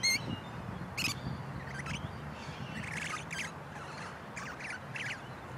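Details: A pair of wild musk lorikeets on a large pepper tree give shrill, harsh screeches in short irregular bursts about a second apart, over a steady low rumble.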